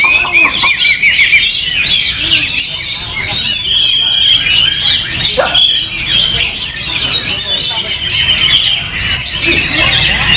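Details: Competition Oriental magpie-robin, freshly past its moult, pouring out fast, varied, high-pitched warbling without pause, threaded with sustained flat whistles around the middle and near the end; faint low voices beneath.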